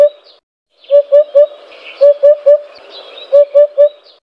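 A Eurasian Hoopoe gives soft, low, hollow 'oop-oop-oop' triplets, three evenly spaced groups of three notes, with faint background chatter.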